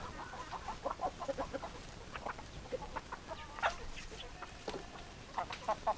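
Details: Hens clucking in a group, with soft, overlapping, irregular clucks and a few sharper notes against a constant noisy background.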